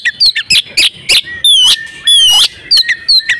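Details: Female oriental magpie-robin in breeding condition, used to bring males into song: quick sharp chirps, then two long harsh wavering whistles, then more chirps.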